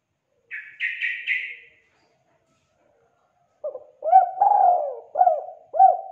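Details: Spotted dove, tekukur, used as a lure for doves that are slow to call: three higher, buzzy, rasping notes open the clip, then after a pause the dove's low, hollow five-note cooing phrase with a long sliding middle coo.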